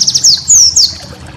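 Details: White-eye master song for training cage birds: a few quick high chirps, then two longer, thin, high whistles, each sliding downward, with a soft low hum beneath.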